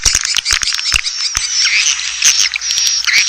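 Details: Asian swiftlet lure call, played to attract swiftlets: a dense, unbroken chatter of high twittering chirps with sharp clicks scattered through it, thickest at the start.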